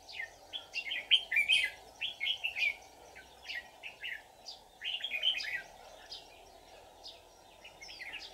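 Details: Trapping session for red-whiskered bulbuls on 24 July 2019: lively, chattering whistled phrases in two clustered bouts of rapid notes with a pause between, against a constant droning hum.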